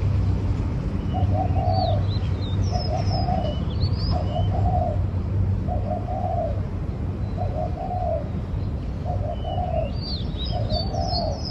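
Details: Spotted dove calling steadily, its low hollow coo phrase repeated about seven times, roughly every one and a half seconds. Smaller birds twitter and whistle high in the background over a low rumble.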